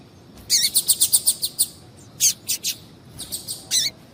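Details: Female double-collared seedeater calling to excite a male, opening with a quick run of about ten high, bright chirps, then a pause and several more scattered sharp chirps.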